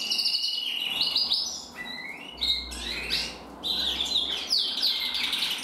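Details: Two male red-black canaries, one intensive and one frosted, singing together: rapid high trills and chattering phrases, some rolling, others sliding down in sweeps, with a low hum underneath midway.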